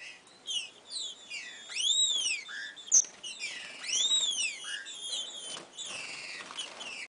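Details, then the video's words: Green-winged saltator singing and courting, giving loud, rich arched whistles about every two seconds over a busy backdrop of high chirps and twitters from other small birds. "TRINCA FERRO CANTANDO E GALANDO"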